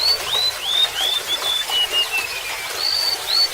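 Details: Golden-bellied gerygone song: a chain of thin, slurred whistles stepping steadily down in pitch over about two seconds, then fresh high whistles starting again, over a constant background of trickling water.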